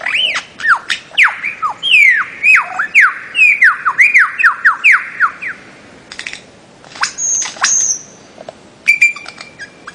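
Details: A bird-of-paradise repeats a series of slurred notes, each dropping in pitch, about two per second for five seconds, followed by quieter clicks, a high whistle and a short level tone.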